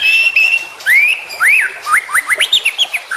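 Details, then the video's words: White-rumped shama song: a long steady whistle, then rising and falling whistled slurs, ending in a fast run of short upswept notes repeated about twice a second. "Masteran Murai Batu Full Isian"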